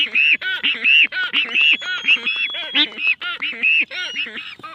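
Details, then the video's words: Black-footed albatrosses performing their courtship dance give a fast, overlapping run of nasal, braying notes, some rising and whinnying, about one or two a second. "Courtship Dance of The Black Footed Albatross"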